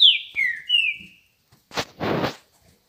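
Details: Green-winged saltator (trinca-ferro) singing in the morning: three loud clear whistled notes, each sliding downward, followed by two harsh broadband bursts of noise.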